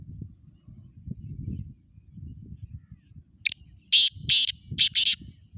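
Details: Black francolin near Khushab giving its harsh call: a short rasping note followed by three loud, buzzy, broadband notes, the middle one longest, over a low rumbling background.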